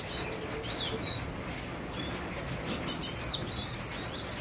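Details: Van Hasselt's sunbird singing vigorously over steady rain: bursts of thin, high, sharp chirps and twittering notes, loudest near the end in quick rhythmic clusters, with the hiss of falling rain throughout.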